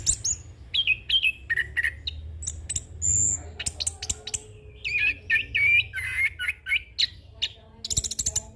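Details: Young orange-headed thrush in continuous rolling 'ngeroll' song with varied filler phrases, used for training and as a lure: dense run of sharp chips, slurred whistles and warbled trills jumping between high and mid pitches, with a low background hum.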